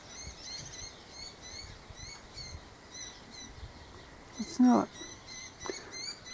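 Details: A white-eared honeyeater sipping Kalanchoe redbell nectar in a garden one morning gives quick, high, ringing chirps about twice a second, interrupted by a brief bump and a person speaking.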